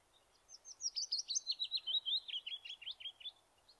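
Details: Willow warbler singing in the May dawn chorus, Ireland: a soft, sweet phrase of about fifteen quick notes sliding steadily down the scale like a fluttering leaf, running out of steam at the end without the chaffinch's flourish.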